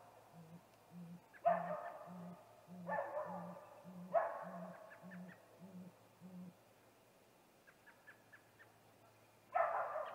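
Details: About eleven deep, regular hoots at half-second spacing from a male great gray owl at its snag tree nest, 8:45 pm on 21 April 2019, before a nest visit. Loud, harsh, wavering bursts overlap the hoots, and faint clicks follow.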